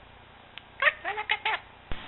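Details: A male budgerigar named Dalai chatters a quick run of squeaky, speech-like syllables, mimicking human words such as "good bird", "happy bird" and "pretty baby".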